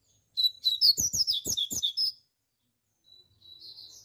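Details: Rusty-collared seedeater (coleiro pardo) singing loudly: a fast burst of sharp, high whistled notes sweeping down and up, delivered in quick succession for under two seconds, then a thin faint whistle after a pause.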